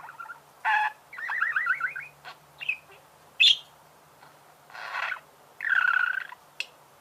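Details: Creaky budgerigar song: separated bursts of buzzy squawks, a rapid series of rising chirps, and a high squeak, with quiet gaps and a low steady hum between.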